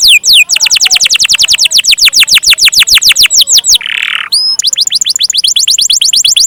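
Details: Canary delivering a long rolling song: rapid trains of high, sharply descending whistled notes, around eight per second, interrupted near the fourth second by a brief harsh buzzy burst, then resuming in an even quicker rattle.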